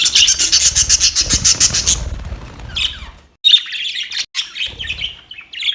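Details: Budgerigars chirping while playing: dense, rapid bright chirps in a fast run for about two seconds, then scattered squeaky chatter and short warbled notes with brief gaps.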